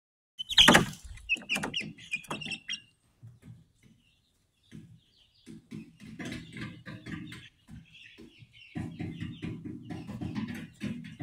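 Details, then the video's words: Speckled Sussex chicks hatched 22 March 2023 and recorded 22 April 2023 give short high chirps after a loud thump, then low, soft, stuttering clucks and rustling that come and go through the rest of the recording. "Speckled Sussex Chicks"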